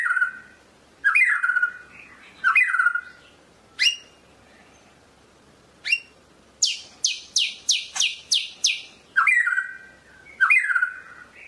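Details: White-rumped shama of the Medan type singing: rich whistled phrases falling from about mid pitch, sharp upslurred notes, then a fast series of five or six harsh descending chips, alternating with slurred whistles.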